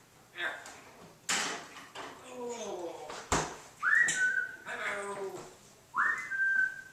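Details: Pet parrot indoors chatting, asking about peanuts or popcorn: garbled speech-like phrases, then two loud rising whistles that level off into a sustained tone, with a person's voice nearby in a small room.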